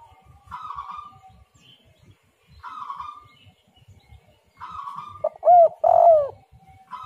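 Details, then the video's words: Spotted dove song used as a lure to make other doves call. After fainter buzzy phrases, two loud, clipped coos arrive near the end, each sliding down in pitch. Low rumbling sounds run underneath throughout. "derkuku super gacor suara angin Topan"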